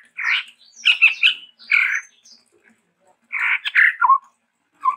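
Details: Chestnut-rumped babbler, locally tepus tunggir merah, called a Sumatran endemic, in lively varied song: harsh buzzy chattered bursts in clusters, a pause, then more rasping notes ending in short lower whistles.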